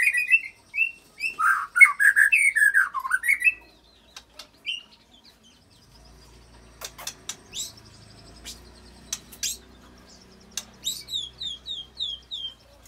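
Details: White-rumped shama singing its mimicked cililin and canary-roll repertoire, meant to stir rival shamas into song; a loud burst of rich, warbling whistles opens, then fades into scattered high, faint chips.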